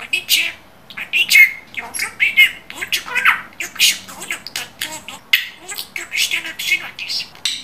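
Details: Pet budgerigar talking, mimicking human speech clearly; fast chattering run of squawky, hissing syllables and chirps, continuous over several seconds, indoors.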